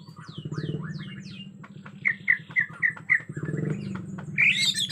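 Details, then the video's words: Bornean white-rumped shama, described as agitated, natural forest sound: a few falling whistled sweeps, then a quick string of five short whistled notes and a burst of harsh chatter, over a low pulsing hum. "Murai Batu Borneo Ngamuk suara asli hutan"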